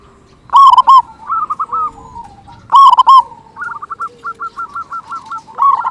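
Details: Local zebra dove singing loudly as a lure to excite other zebra doves: loud stuttered coo phrases, separated by runs of quick, softer repeated notes.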